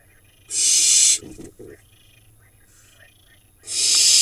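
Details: Nestling barn owls in a monitored nest box, Hula Valley, Israel, June; a loud broad hissing screech, brief knocks and faint sounds, then another screech begins.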